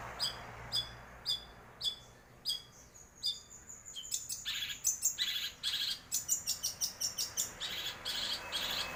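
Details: Long-tailed shrike kept as a songbird, opening with evenly spaced high double notes, then breaking into a rapid, dense run of chattering and whistled phrases.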